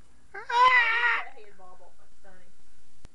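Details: Talking pet bird kept indoors, said to laugh again and again: a loud, harmonic, wavering laugh-like cry lasting under a second, followed by softer, lower, tonal syllables and a brief click near the end in a quiet small room.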